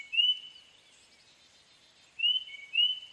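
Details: Tufted titmouse giving a few short, clear whistled notes, one near the start and a pair near the end, separated by quiet background.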